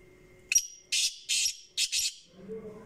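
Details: Black francolin (kala teetar) calling: a loud harsh series of four rasping, buzzy bursts, the last two run closely together, after a short sharp opening note. A faint low hum lies underneath.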